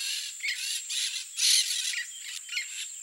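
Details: A flock of peach-fronted parakeets (Eupsittula aurea), eating what falls from a feeder in Mato Grosso do Sul, Brazil, give harsh grating screeches in bursts every half second or so over a steady high hiss, likely insects.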